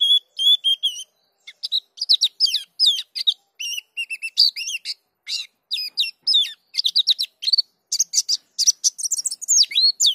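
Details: A long rolling ngerol song from a Dakun-type white-eye: a steady whistled opening, then a lively, varied stream of high chirps, upslurs and zigzag notes with brief gaps, showing off filler phrases.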